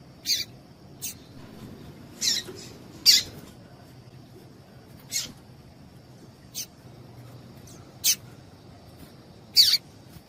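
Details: Female Double-collared seedeater call, used to excite males and make them sing: short, harsh, broadband chips at irregular intervals, about seven in ten seconds, over a steady high electronic whine.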